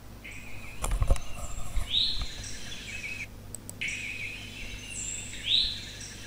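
American Robin giving two clear, rising slurred notes about three seconds apart, with softer chirps between, over a steady low background hum.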